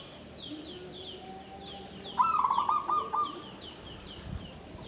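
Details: Bamboo-caged zebra dove giving a klabang kapipit, tumpang sari phrase, klarr kete kuk kuk. One burst of stuttering, low coos lasts about a second. Other birds chirp steadily in high, repeated notes behind it.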